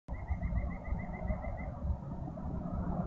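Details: Eagle at a Minnesota nest on a frosty March morning at 7:22, the pair greeting the day as the male relieves the incubating female from two eggs. A thin series of about eleven quick, evenly spaced high notes runs over steady low wind rumble.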